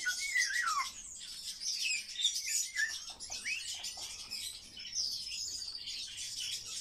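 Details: Pet male common starling calling indoors, with a falling whistle, then scratchy, hissing high chatter and squawky notes repeated in a steady stream.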